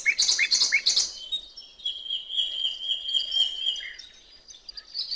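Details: Common nightingale singing on a river bank in open countryside: a burst of rapid scratchy notes, then one long steady whistle held for about two seconds, a lower note, and faint chirps trailing off.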